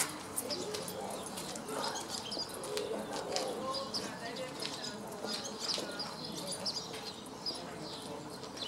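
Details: Barn swallows on Vrbje street, Zagreb, Croatia, 24 May 2014, twitter in quick, scratchy high chirps scattered throughout, over a steady rushing background with a few soft flutters.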